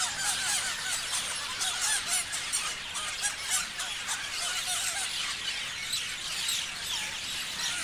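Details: A parrot flock chirps and squeals together, with rapid high twitters and some louder, slurred calls rising out of the continuous, crowded chatter.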